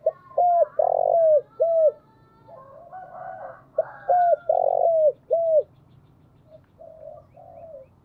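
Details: Decoy spotted dove calling repeatedly, low arched coos and longer held notes in two clear phrases separated by softer, breathier cooing, over a steady low background rumble.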